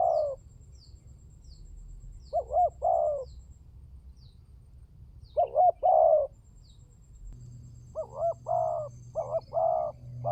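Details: Spotted dove lure call: several two-note-and-coo phrases, ending in a quicker run of four looping notes and coos, with high thin chirps of small birds early on and a low hum appearing midway.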